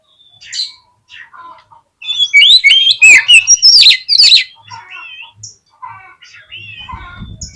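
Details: Oriental magpie-robin song played to provoke a fighting response and tail-opening: soft scattered whistles, then a loud, harsh burst of rapid, rising and falling notes for about two seconds, then quieter, varied phrases again.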